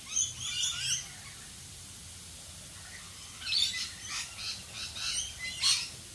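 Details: Australian rainbow lorikeets in rain give two clusters of shrill, grating screeches, one brief group at the start and a longer run after a quiet gap, over constant rain hiss.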